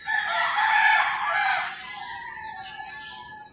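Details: Rooster in rural Philippines crowing at dawn, one long strident crow loudest at the start and tapering into a drawn-out falling tail, a fainter crow answering in the background.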